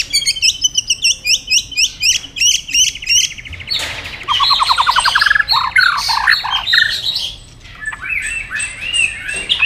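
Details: Tail-flicking white-rumped shama stimulated to duel in song: crisp repeated high notes at a rapid beat, then a rattling trill and a mixed sequence of chirps and whistled phrases.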